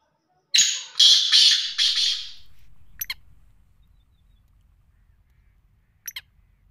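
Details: Sindhi-breed black francolin calling: one short harsh phrase of four rasping, buzzy notes, then near silence broken by a few sharp clicks.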